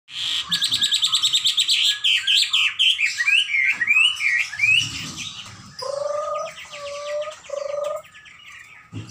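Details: A Chinese hwamei (Garrulax canorus) in full song gives a loud, varied run of fast, high repeated notes, then slurred rising whistles, then three low, clear whistled phrases.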